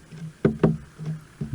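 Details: Cardinal woodpecker (Dendropicos fuscescens), smallest woodpecker of South Africa's lowveld, taps a gum camera pole seeking wood-boring beetle grubs and larvae: sharp, hollow knocks, a close pair then a third, over a low steady hum.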